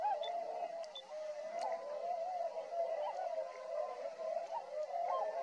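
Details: Massed tundra swans at Rosedale and Munson, Alberta, Canada, feeding in a flock: a steady wash of mid-pitched, wavering honks blending into one murmuring chorus.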